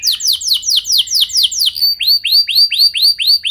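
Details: Canary singing a lure song meant to set other canaries singing: a fast run of steep downward-sweeping notes, then a slower series of bright arched whistles repeated about three times a second.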